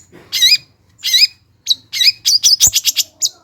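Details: Long-tailed shrike singing a lure song to provoke lazy birds: two wavering, trilled whistles, then a fast accelerating string of bright clipped notes tumbling together.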